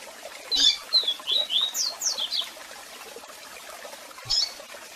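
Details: Strong, unusual Double-collared seedeater song with calls over cascading water, used for song training; a rapid run of high whistles sliding down, then rising slurs and short sweeps, closing with one sharp chirp.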